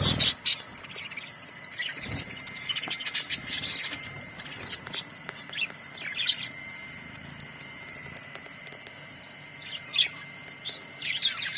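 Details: Budgerigars in a colony chattering: scattered high chirps and short warbled bursts over a steady hiss with a faint constant tone, calls clustering at the start, middle and end.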